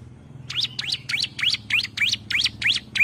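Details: Female bar-winged prinia calling a male, giving nine rising, zigzag chirps at about three per second over a steady low hum.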